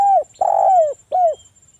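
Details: ['Local spotted dove in vigorous, full-voiced song, used as a lure to prompt silent doves into calling: three mellow, slightly falling coos, the middle one longer and buzzier, with short pauses between them.']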